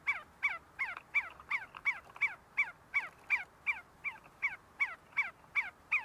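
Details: A group of see-see partridges feeding and fighting at the University of Sulaimani in Kurdistan gives a long, regular series of clear, falling, slightly whistled notes, roughly two and a half per second, about sixteen in a row.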